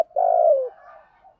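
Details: Spotted dove cooing to attract other doves during decoy training: one sustained, mellow coo that holds steady and then dips in pitch, trailing into faint soft coos.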